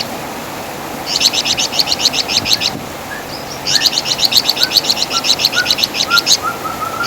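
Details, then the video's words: Javan fulvetta (flamboyan, wergan jawa), valued for its loud song and distinctive chattering as master song to teach songbirds. Two bursts of rapid high chirps, the second longer, followed by soft, low, drawn-out whistled notes. "Masteran Suara Burung Flamboyan | Wergan Jawa"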